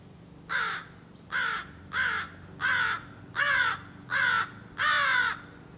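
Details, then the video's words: Practising scolding and territorial calls, a young American crow gives seven loud, harsh caws in a steady series, roughly one every seven-tenths of a second. "Young Crow Practices Scolding and Territorial Calls"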